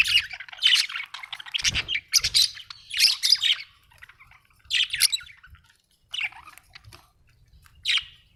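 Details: Budgie singing happily: dense bursts of high scratchy warbling and chirps, then spaced single chirps after a pause, with a couple of low thumps early on.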